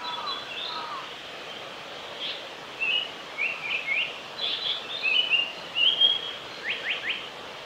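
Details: A male Japanese paradise flycatcher at Oiso, Kanagawa, Japan, 22 May 2020, sings short, high chirping and whistled phrases, loosely repeated, ending in a quick run of falling notes, over a steady outdoor hiss.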